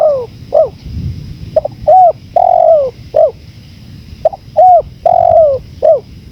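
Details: Clear spotted dove phrases, each a couple of short hooting coos and a long descending coo, repeated twice over faint rumbling wind.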